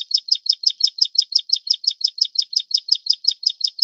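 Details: Plain prinia of the Taiwan-endemic subspecies Prinia inornata flavirostris, a bird of riverbeds, grass and farmland at 700–1200 m: a rapid, steady string of sharp high buzzy notes, about five or six each second, with no other sounds.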